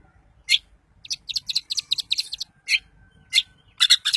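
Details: Song of a daput-type long-tailed shrike, used to make other shrikes sing and grow agitated. Sharp, scratchy notes are delivered in uneven clusters with short gaps, ending in a quick burst of shrill chips.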